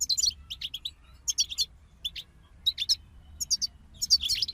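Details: A goldfinch group utters clipped bursts of bright, sharp twittering notes, each burst lasting about half a second and separated by short silences.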